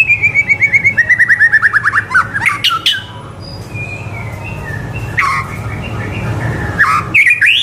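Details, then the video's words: Captive white-rumped shama (murai batu) song used as a tutor recording for young birds: a fast run of repeated rising chirps, then loud sweeping whistles and scattered phrases over low background hum. "MURAI BATU GACOR COCOK BUAT MASTERAN MURAI BATU MUDA AGAR CEPAT IKUT GACOR DAN MONCER"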